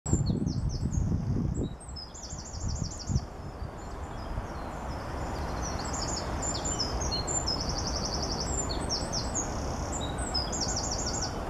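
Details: Eurasian wren in March at the Gentbrugse Meersen, Ghent, Belgium, pouring out a loud, very high song of rapid trills and ringing notes in quick bursts, over steady low rumbling background noise.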